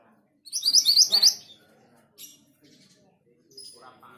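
An orange minivet gives a quick run of about eight thin, high whistled notes in under a second, followed by faint scattered chirps over a low background murmur.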